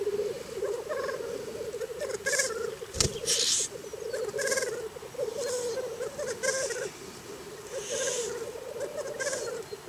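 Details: Black grouse in Scotland on a very cold morning: a steady, low bubbling murmur runs without a break, cut by several sharp, hissing sneeze-like bursts, with faint higher chirps between them.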